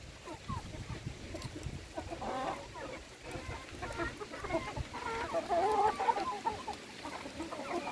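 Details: Chickens being fed by their owner: rapid overlapping clucks and drawn-out murmuring calls from several hens, busier and louder toward the end.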